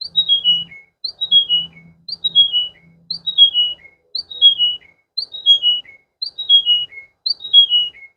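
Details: Water canary repeating one clear whistled phrase that steps down in pitch over several notes, given eight times at a regular rhythm of about one per second, with faint low hum early on.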